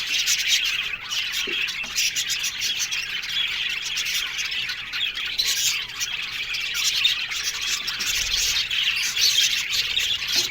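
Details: Budgerigars in an aviary colony, a dense continuous wash of overlapping chirps, warbles and harsh squawks from many birds at once, steady in loudness throughout.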